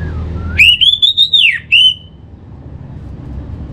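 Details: A single bright orange-headed thrush phrase used to get a kept bird singing; a rising, arched whistle broken into quick pulses, then one short whistled note and quiet.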